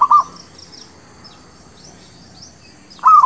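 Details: Zebra dove lure song for trapping: a short cooing phrase at the start and another at the end, separated by quiet with faint background bird chirps.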